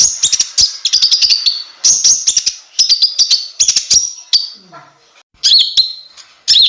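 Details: Energetic konin (kolibri ninja) song, a string of high, sharp clicks and thin whistled phrases in short bursts, with brief pauses and a faint lower murmur near the end.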